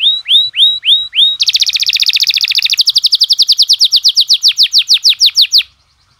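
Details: Canary in tembakan style, recorded as masteran to stir other canaries to sing: five rising whistles, then a fast, dense buzzy roll lasting several seconds that slows into spaced rising sweeps before stopping.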